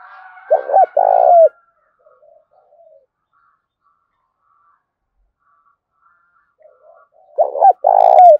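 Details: Spotted dove cooing, played to provoke caged doves into calling: two low, hollow, mellow coo phrases. One opens the recording and one closes it, with a long quiet gap and faint soft notes between.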